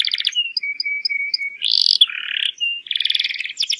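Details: Domestic canary lure song for young birds: a short buzzy trill, a steady level whistle with faint high chips, then harsh buzzy rattling phrases and a final quick trill.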